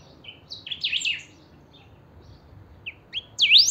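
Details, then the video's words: Saffron finch, a kept 'pica'-style chiviro, whose song is played to stimulate other chiviros: two bursts of bright, high, sharply swept chirps separated by a quiet pause, the second ending in a loud looping whistle. "Pica cantando a full"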